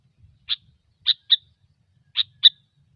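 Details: Sooty-headed bulbul in gecor style for luring: five crisp, bright chip notes, some paired, spaced irregularly about once a second, with faint low rumble beneath.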